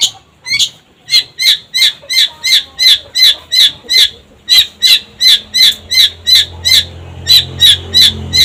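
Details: Long-tailed shrike, a vigorously singing bird used as a lure recording: loud harsh scratchy notes repeated steadily about three times a second for over eight seconds, with a faint low hum underneath.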